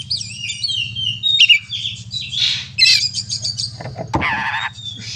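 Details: Oriental magpie-robin in combative song meant to stir other birds: tumbling high whistles, harsh rattling notes repeated irregularly, and a dense buzzy phrase near the end, with a persistent low electrical-sounding hum.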